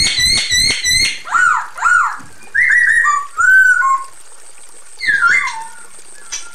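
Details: Female Chinese hwamei calling a male: three loud ringing harmonic notes, then looping, slurred whistles rising and falling, and a final twisting whistle after a pause.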